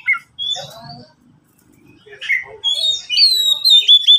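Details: Oriental magpie-robin, a caged bird among three answering each other. A few rising whistles and harsh notes come first, followed by a loud stretch of bright, warbling whistled song.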